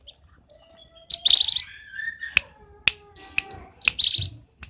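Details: Cinereous tit (gelatik batu) from the Roban, Subah, Batang area in a filled song: dense high chirp clusters mixed with thin whistles, a low sustained tone and sharp clicks.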